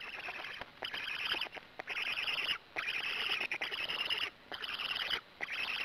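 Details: Black stork nest in Gemenc on the evening of 13 May 2017, 20:04, with an adult arriving and feeding. Harsh, wheezy bursts come in rough runs about a second long, broken by short silent gaps.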